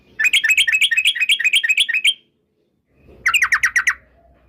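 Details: Rapid 'ropel' rolling song from a female Yellow-vented Bulbul used to provoke singing: a two-second run of quick, bouncing chattered notes, a pause, then a shorter burst of the same.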